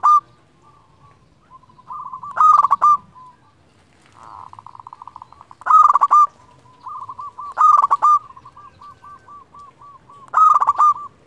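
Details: Local zebra dove, a lively singer used as a lure to call rivals and stir other doves to sing: soft rolling trills of cooing notes, broken every two to three seconds by louder, stuttering coo phrases, four bursts in all.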